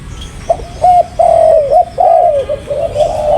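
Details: Spotted dove cooing: a series of low, mellow hooting notes, some short and some drawn out, each phrase slightly dipping at its end, running almost continuously with brief gaps.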